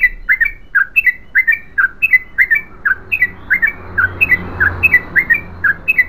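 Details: Yellow-vented bulbul delivering a long continuous chattering song in the gacor ropel panjang style: rapid bubbly whistled notes around the mid range, tumbling in quick pairs and triplets almost without pause over six seconds.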